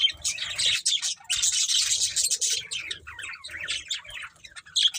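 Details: Breeding pair of budgies giving quick, buzzy chirps and squeaky warbles in fast bursts, loudest in the first half, then thinning into scattered twitters.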